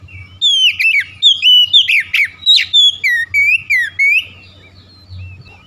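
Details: Morning lure song of an oriental magpie-robin, used to get a slow bird singing eagerly: a rapid run of varied whistles, slurred up and down, about three notes a second, then fading to soft high chirps above a low background hum.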